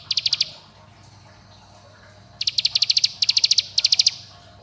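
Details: Bar-winged prinia (ciblek gunung) calling companions and provoking rivals, used to prompt young birds into rapid 'bren' singing: a quick burst of six high, sharp notes, a pause, then three tight bursts of five to seven notes.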